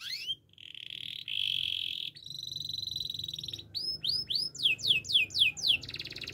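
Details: Gloster canary singing a varied, fast series of phrases: a bright whistled opening, steady high ringing tones, then repeated rising and falling sweeping notes in quick succession before a final buzzy trill. No other clear sounds.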